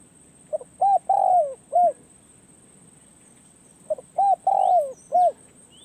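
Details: Spotted dove, a decoy bird taken to a forest trapping perch, giving two cooing phrases about three seconds apart: a soft note, a short coo, a long drawn falling coo, then a final short coo.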